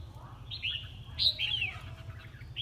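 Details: Red-whiskered bulbul singing in a singing competition: short warbled, whistled phrases that swoop up and down, some notes sliding downward, over a steady low rumbling hum.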